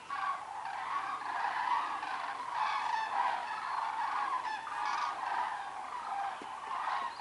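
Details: A flock of cranes flies over Kuhhorst, giving many loud, rolling, trumpeting calls that overlap into a steady clamour for about seven seconds.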